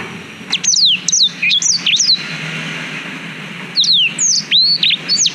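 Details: Black-throated canary song recorded on a GoPro Hero 5, used as a tutor for training young canaries: bursts of high, sharp down-slurred whistles and upslurred notes, phrases around a second long separated by short pauses, faint low hum beneath.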